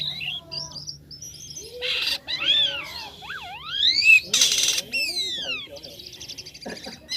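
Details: Black-winged starling singing vigorously with unusual sounds: clear whistles, deep swooping slurs, looping notes and loud harsh rasping bursts, mixed in a varied, irregular sequence with a faint low hum behind.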